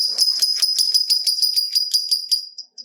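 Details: Lovebird delivering a long trill meant to set other lovebirds singing: a fast, steady run of high, piercing ticks, about six per second, that keeps going almost without a break and then trails off into two final notes.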